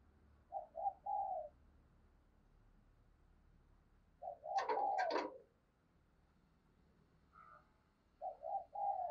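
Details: Decoy spotted dove cooing to provoke others: short groups of low hollow coo notes at the start and end, with a loud clattering knock in the middle partly covering a coo.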